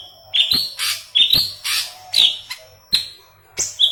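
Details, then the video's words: Yellow-headed leafbird in energetic song for tutoring green leafbirds, giving bright whistled notes that flick and slur, alternating with hissing buzzy blasts about once a second, a low hum and faint tone behind. "Burung Murai Daun Kepala Kuning Gacor"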